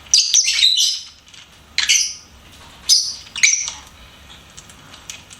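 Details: Lovebird giving shrill, high chirps: four separate bursts of harsh squeaky notes, some with short whistled tones, spaced about a second apart with quiet between.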